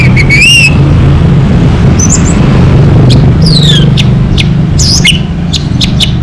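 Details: A local orange-headed thrush (Geokichla citrina) sings loud, clear whistled phrases with quick sliding and falling notes, half-buried under a heavy low rumble like nearby traffic.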